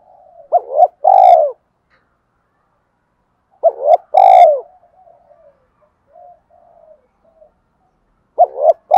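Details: Full cooing song of a spotted dove, described as very effective for stirring up other doves; three phrases of two quick coos and a long mellow coo, repeating roughly every four seconds with soft murmurs between.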